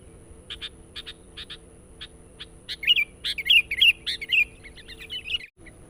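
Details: Lure calling of a sooty-headed bulbul for attracting wild birds: it opens with spaced sharp chips that speed into an energetic run of rich bubbly, rolling phrases, then a brief cut-off near the end.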